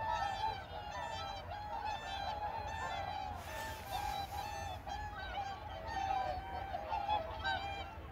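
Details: A flock of whooper swans on a reservoir in Korea gives loud, bugling honks that overlap in a steady chorus, over a low rumble of wind, with a brief rush of splashing midway.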